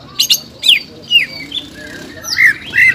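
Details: Greater green leafbird in a cage, singing agitated 'ngobra' and 'jamtrok' phrases when roused: spaced sharp chirps and short downslurred whistles, ending in a pair of bright slurred whistled notes, with a quiet room background.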